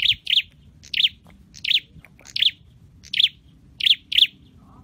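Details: Sharp high chip notes from a caged scarlet-headed flowerpecker under singing training, spaced at irregular intervals of about half a second, some in close pairs, background otherwise quiet.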